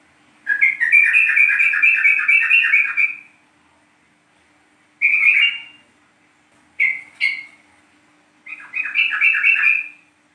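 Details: Yellow-vented bulbul of the East Java 'trucuk kebo' type, used as a lure to set other bulbuls singing: three bubbling, chattering warbled phrases, the first about three seconds long, separated by short quiet gaps, plus a brief double note.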